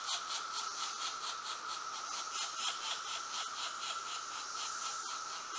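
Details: Two pileated woodpecker chicks in the nest hole give a harsh, buzzy begging chorus while being fed, in rasping pulses about twice a second, over a steady high hum.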